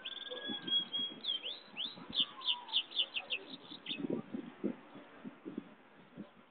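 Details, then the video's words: Goldfinch-canary hybrid (pintagol) singing: a sustained high whistled note, then a rapid run of repeated sharp chirping syllables, about four per second, with low background noise underneath. "pintagol jau"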